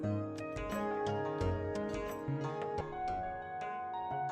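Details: Soft instrumental music with sustained tones and plucked notes plays throughout, with no animal calls.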